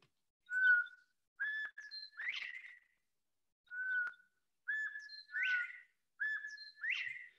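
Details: Male Northern Bobwhite in Missouri giving its spring breeding whistle to attract females, a clear "bob-WHITE" with the last note sweeping sharply upward, repeated about every two seconds with short lead-in notes.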